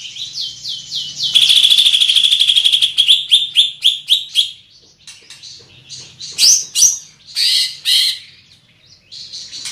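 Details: Large-bodied Greater green leafbird with a loud, far-carrying song: a quick run of slurred downward notes, then a dense buzzy trill of rapid repeated notes, followed by varied loud whistled phrases with short pauses between them.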